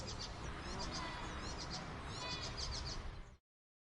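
An icterine warbler sings quick, high, chattering phrases of repeated sharp notes, set against a steady low rumble of background noise.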